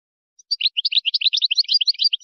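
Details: A Moroccan wydani song by a European goldfinch, used for teaching young goldfinches and hybrids: one unbroken run of quick, bright, chattering notes that jump between high and higher pitches, with no other sounds.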